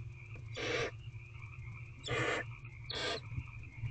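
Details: Eldest barn owlet in a nest box on the evening of 15 April 2023, 8:09 pm, claiming a rodent just delivered by its father: three harsh, broadband hissing screeches, each about a third of a second, over a steady electrical hum.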